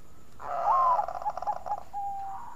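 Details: Bangkok-type zebra dove (perkutut) singing a melodious song used as a lure to draw other doves into song: a mellow, slightly burry opening coo, then a run of quick pulsed notes, ending on a steady level coo, with a faint constant high whine behind it.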